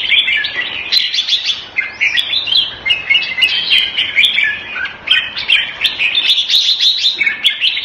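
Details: Caged red-whiskered bulbul in Singapore, kept Thai style, February 2018: a busy, unbroken stream of chirpy whistled notes and rolling warbles that rises and falls in loudness.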